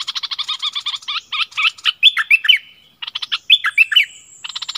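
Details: A Streak-eared bulbul used as a decoy bird, recorded 16 February 2021, delivers rapid stuttering chirps followed by richer, liquid warbled phrases, pausing briefly before another fast burst.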